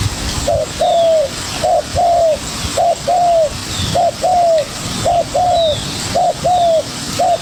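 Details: Young spotted dove calling vigorously in a duel with a decoy bird; steady series of about six low coo phrases, each a brief stuttered note then a drawn-out descending coo, spaced roughly every second.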